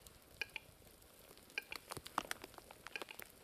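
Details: Western capercaillie winter-spring display song, early March 2011, Cerkno region, Slovenia: dry, widely spaced clicks quickening into a hollow pop, then a brief scraping, whetting rattle, all faint.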